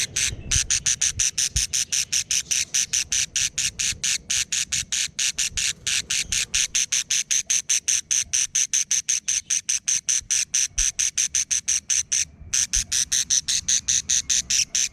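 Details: Young budgerigars squabbling, producing a long, fast train of harsh, rasping pulses, roughly six per second, loud and high, broken by only a couple of brief pauses.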